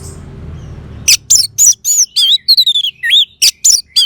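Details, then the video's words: Orange-headed thrush song for training caged birds to sing: after a quiet second, loud whistled phrases tumble out, some sliding down, some wavering, about a dozen bright notes separated by short pauses. "Terap1 Suara ANIS MERAH Macet Bunyi Agar Mau Kenceng Dengar Kicauan Ini."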